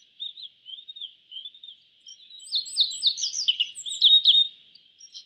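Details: Yellow bunting of East Asia: several spaced soft whistled notes building into a dense, loud burst of quick sliding chirps, then fading, with a steady high hiss.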